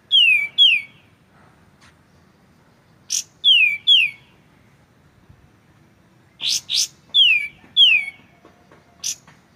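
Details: White-shouldered triller, the kapas tembak, in a clear training recording with pauses. Pairs of clear whistles slide steeply downward and come in three bouts, mixed with short buzzy bursts and quiet gaps between.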